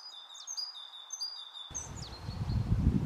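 Thin, high, squeaky notes of a lesser spotted woodpecker, given in quick uneven bursts; halfway through, low rumbling wind noise rises beneath them.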